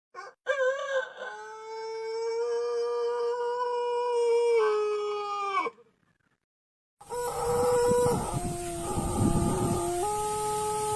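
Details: White Pelung chicken crowing: a long, steady, many-toned crow held about five seconds, then dropping away. After a short silence a second crow follows in stepped pitch levels over background hiss.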